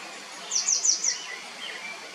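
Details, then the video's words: Grey wagtail calling with four sharp, high, slightly buzzy notes spaced evenly over half a second, then faint lower chirps from other birds against a hissing background. "노랑할미새 소리 Grey Wagtail"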